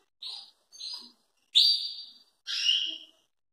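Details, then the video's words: Belgian canary singing very loudly, used for training young birds: four separate bright, high whistled notes, each under a second, the last two longer and louder with a slightly falling tail, with short silent gaps between. "Canário belga cantando muito forte"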